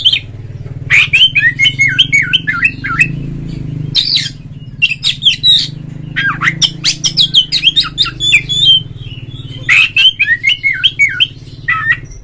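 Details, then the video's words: Oriental magpie-robin giving a ngeplong-style calling song meant to prompt other magpie-robins to sing: rapid varied whistled phrases, twisting up and down, in bursts broken by short pauses, over a steady low hum. "suara panggilan Kacer NGEPLONG nge-play Ngobra GACOR bikin semua JENIS BURUNG KACER ikut GACOR"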